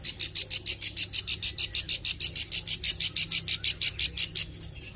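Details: Young Plain Prinia learning its song and 'nembak' shooting phrases, delivering a long steady series of high, buzzy, rasping notes, roughly three per second, for over four seconds before stopping.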